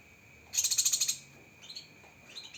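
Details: Cucak kinoi (lesser green leafbird), sharp 'tembakan' masteran phrase: one quick, very high, rattling trill of about eight pulses over half a second, then faint softer notes against a thin steady tone.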